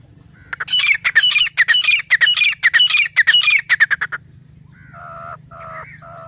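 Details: Grey francolin, locally teetar, calling in jungle: a fast run of loud grating, ringing notes for about three and a half seconds, then quieter drawn-out tonal notes from another sound, over a steady low hum.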